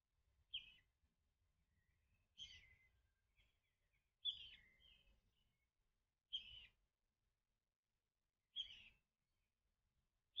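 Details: Common kingfisher chick in an artificial nest tube of a kingfisher house, calling in vain for its mother before crawling over to her in a second nest: short raspy high notes repeated about every two seconds, six calls, quiet low rumble beneath.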